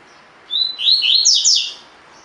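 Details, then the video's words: Tui tui fibra phrase of a collared seedeater, used for training caged birds: a high whistled lead note, then a rapid chain of downward-sweeping slurs, clear against faint background hiss. "COLEIRO DE GOLA TUI TUI FIBRA (8 Horas Encarte)"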